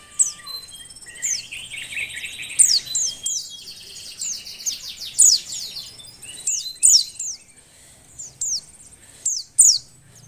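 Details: Female Oriental white-eye in breeding condition, calling to stir lazy males to sing: thin, very high sliding chirps and short twittering bursts, repeated in quick clusters several times over ten seconds, with a faint low hum beneath.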